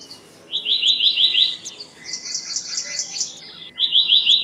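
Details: Black-naped monarch giving a quick run of about six bright, sharp repeated notes, then a second run beginning near the end. Softer calls from other birds are heard between the runs.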